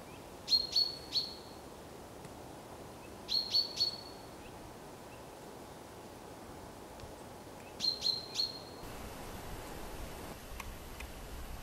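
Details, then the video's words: Black woodpecker giving three bursts of three sharp, high notes, each burst a few seconds apart, over a steady hiss of background noise. "Black Woodpecker"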